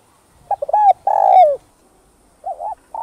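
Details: Spotted dove, cooing to provoke wild doves, gives a few short stuttering notes leading into a long mellow coo, then soft wavering coos after a silence; clean recording with nothing else heard.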